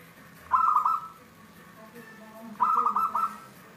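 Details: Two crisp, staccato cooing phrases from a local wild zebra dove, a 'Cristal tembus' singer, each a quick run of ringing pulses, with soft low background noise between them.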